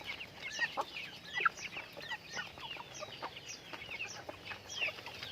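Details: Pet chickens giving a string of high, downward-sliding chirps and peeps, roughly two or three a second, over a faint rustling background.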